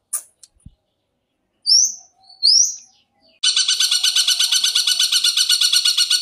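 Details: Long-tailed shrike song used as a training recording for captive birds: a few sharp high chirps and two quick rising whistles, then a dense buzzy rattling trill repeated rapidly to the end.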